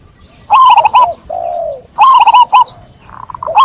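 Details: Clear song of a local zebra dove encouraging other doves to sing: two loud bursts of quick, bubbling coo notes, each followed by a lower, smooth, falling note, with a softer caller answering near the end.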